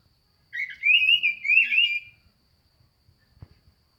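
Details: Oriental magpie-robin (kacer), praised as a strong singer, gives one rich warbled phrase of sweet, slurred whistles lasting about a second and a half, then falls quiet. A faint click follows.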